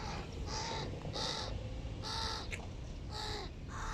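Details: Large hooded crow chicks with their family at breakfast give harsh, raspy caws, about six in four seconds, spaced roughly every half to three-quarters of a second, over steady low background rumble.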